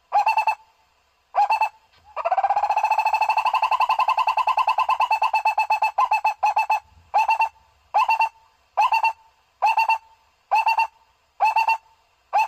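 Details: Barbet sound for luring birds: two clipped bursts, then a long rolling trill of fast pulsed notes that slows and breaks into a steady series of short hollow bursts about once per second.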